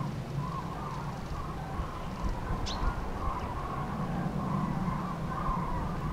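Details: Common cranes in spring passage over central France, 5 March 2016, afternoon, flocks broken up by rough weather; a steady stream of distant rolling calls runs throughout over a low engine-like hum.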